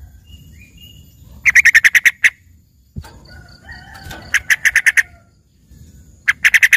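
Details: Yellow-vented bulbul delivering learned filler song, compared to owning a lively green leafbird: three bursts of fast, bright, rattling notes separated by pauses, with faint thin whistles and a single thump between them.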